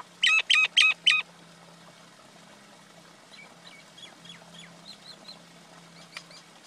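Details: Common myna, male and female: four loud grating squawks in quick succession, then softer scattered whistled chirps and clicks; a low steady hum runs underneath.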